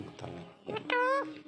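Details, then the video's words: A female rose-ringed parakeet, with her companions, talks in a few quick speech-like syllables, then holds a steady, nasal, even-pitched tone for about a third of a second. "RINGNECK PARROT TALKING"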